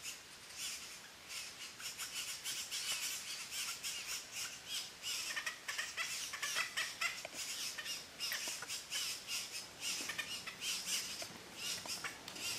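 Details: Three red-bellied grackle chicks at their nest in La Romera reserve, Sabaneta, Antioquia, Colombia, in 2012, calling while being fed: a nearly continuous run of rasping, broadband squawks that rise and fall in loudness.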